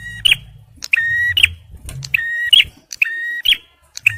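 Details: A male bar-winged prinia delivers lively song suited to luring and encouraging stressed birds: clipped chips alternating with flat buzzy notes and sharp clicks, repeated quickly, with some low background murmur.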